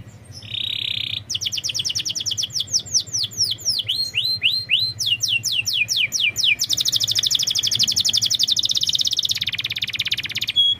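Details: Canary singing in a lure recording for a bird reluctant to sing: a short buzzy note, long series of quick rising whistled notes, then a fast rattling high trill lasting several seconds.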